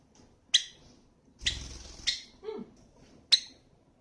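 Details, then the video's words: Java sparrow kept as a pet, uttering sharp single chips and one longer rasping note, plus a soft low sliding sound, in a quiet indoor setting. "文鳥 鳴き声メドレー① Java sprrow"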